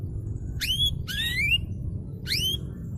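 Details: Three quick upward-sweeping whistled notes from a canary, the middle one longer and slurred, used as training audio to get quiet canaries singing; low steady hum underneath.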